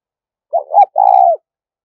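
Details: Spotted dove giving a 'thúc rút' coo meant to lure wild doves into traps: a short throaty double syllable followed by a longer, even, burry coo that drops at the end. The background is silent.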